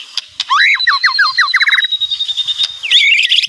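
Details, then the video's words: White-rumped shama song: a series of about nine rapid descending slurred notes under a sustained high thin whistle, ending in a jumbled twittering phrase. "Suara Kicauan Keras Murai Batu Meriah Full Isian"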